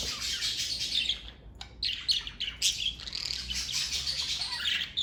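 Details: A family of pet parakeets chattering almost without pause: dense, raspy warbling mixed with sharp squawky notes. There is one brief lull at about a second and a half, and then the continuous chatter resumes.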